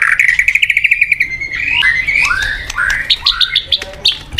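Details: White-rumped shama singing a quick series of short repeated notes, then loud rising and falling slurred whistles of varied pitch, with scattered clicks.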